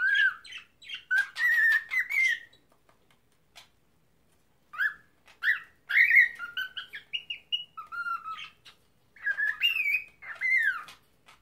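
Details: Pet cockatiel trying to talk and sing: bursts of clear whistled notes, some rising and some sliding, mixed with short chattering syllables in phrases of about two seconds separated by brief pauses.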